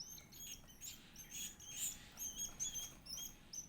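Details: Edible-nest swiftlet chick begging while being fed: rapid, thin, high chirps and short squeaky notes tumbling over one another, about 150 per minute, unevenly spaced, over a faint low steady hum.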